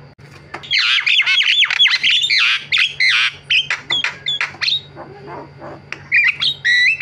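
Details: Javan myna (jalak kebo) in varied song: a rapid run of loud, whistled and squawky notes, then sparser sharp chirps and rising whistles, a constant low hum in the background.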